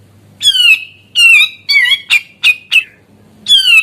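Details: Grey-cheeked bulbul singing with two long raspy downslurred notes, a string of four sharp harsh chips, then after a short gap another drawn-out descending rasp.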